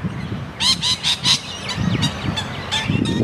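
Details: Sulphur-crested cockatoo giving four harsh grating squawks in quick succession, then fainter scattered calls, over low rumbling background noise.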